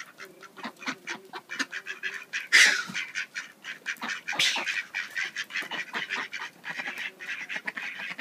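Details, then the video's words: Hungry ducks fighting amid heavy snow: a crowd squabbling with rapid harsh quacks overlapping in dense bursts and one louder raucous outburst, plus a faint low hum early on. "Pelea de Patos con hambre"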